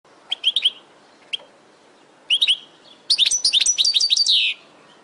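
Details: European goldfinch song from a training recording for caged birds: scattered bright twittering notes, then a fast run of sharp, tinkling, buzzy phrases lasting over a second.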